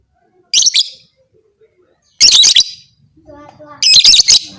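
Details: Lovebird calling to stir other lovebirds into fighting: three bursts of very high, harsh, shrill chirps, each burst a quick run of two or three notes, with silent gaps between and faint low sounds underneath.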